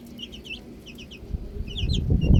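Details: Baby chicks outdoors chirping: short high peeps, some falling in pitch, in loose bursts early and late, over a heavy low rumble of handling or movement noise that grows louder toward the end.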